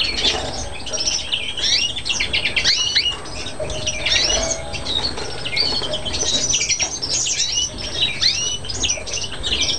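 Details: A greenfinch (Carduelis chloris) x canary (Serinus canarius) hybrid from Chios, Greece, recorded in 2011, sings a fast, continuous stream of high twittering notes and quick rising trills over a soft background murmur.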